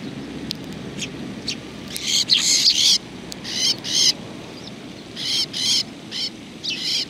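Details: Several Eurasian tree sparrows on a bench at a Tenmangu shrine in Japan, 30 January 2020: high bright chirps in short clustered bursts, some a second long, separated by quiet gaps over a low steady outdoor hum.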